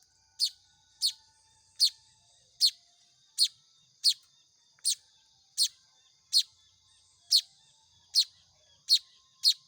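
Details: Hand-fed Baya weaver nestlings begging with thirteen short, scratchy, high-pitched notes in under ten seconds, irregularly spaced, over a faint constant high tone.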